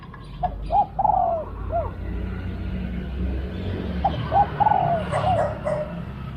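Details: Spotted dove used in decoy luring of wild doves, singing two phrases of arched, hooting coos with a long drawn note that falls at the end, about three seconds apart, over a low vehicle rumble.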